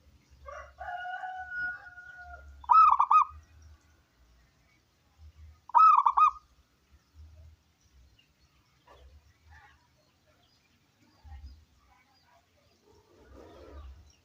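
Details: Local wild zebra dove with a strong voice, its song meant to draw other doves into singing. It opens with steady whistled tones from another bird, then two rolling coo bursts three seconds apart, and quieter scattered chirps later.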